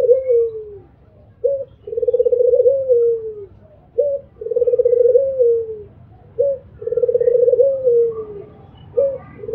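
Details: Three cycles of mbekur cooing by an albino Barbary dove, each a short clipped note followed by a long throaty rolling coo that falls in pitch, spaced a few seconds apart in a quiet setting.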